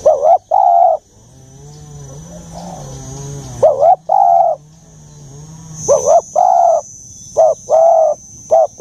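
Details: Spotted dove, its voice called 'giọng già' (mature-toned), gives repeated loud mid-pitched coos in short groups of two or three over a steady low hum, with a faint high whine throughout.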